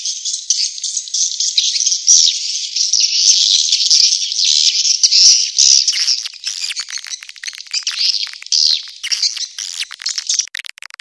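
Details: Swiftlet calling sound to attract swiftlets: a long, dense run of high buzzy twittering that later breaks up into fast clicking, rattling chirps.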